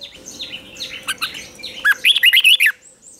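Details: Fighting song of a red-whiskered bulbul during morning training meant to spur wild-caught birds: soft, scattered chirps from other birds, then a loud run of six or seven quick, rolling whistled notes.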